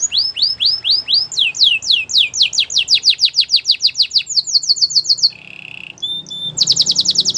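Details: Training song of a white canary: long run of bright sweeping whistles that speeds into a rapid trill, then a low buzzy phrase and a high fast rattle at the end.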